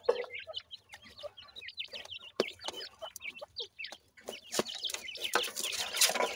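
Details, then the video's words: Dakhni teetar partridge chicks from Pakistan feeding in captivity, giving continuous shrill, bent peeps from several chicks at once, mixed with sharp clicks and a burst of scratchy noise near the end. "pakistani dakhni teetar chicks feeding"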